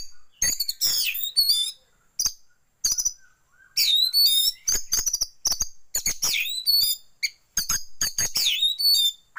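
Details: Oriental magpie-robin song used as a lure so kept birds open their tails, with white-rumped shama filler; a long, nearly continuous run of varied high whistles, sweeping slurs and sharp chips.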